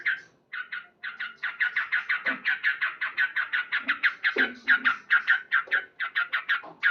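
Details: Male sooty-headed bulbul singing loudly in the morning in lively gacor style, with rapid "cuk cuk" notes: a steady stream of short, bright, chattering syllables, about four per second, after a brief opening pause.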